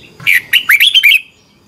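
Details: Competition singing of a red-whiskered bulbul, recorded for training birds: a short phrase of five loud, liquid, warbling notes, each rising then dipping, delivered quickly in just over one second.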